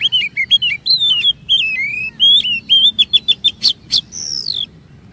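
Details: Oriental magpie-robin singing as a lure to draw long phrases from other magpie-robins: a string of bright warbled whistles, a burst of rapid sharp clicks, ending in one long descending whistle.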